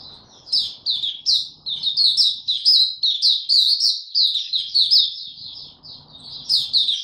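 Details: White-eye, a male whose song is still maturing, recorded 9 February 2022: long flowing chatter of high, sweet, down-slurred notes running almost without pause, with faint low rustling before and after.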